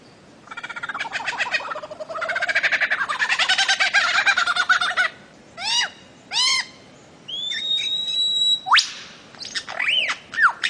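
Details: Bird-of-paradise song used for training cage birds opens with a long, fast rattle lasting several seconds. Arched, ringing notes follow, then a high thin whistle and a sharp rising sweep.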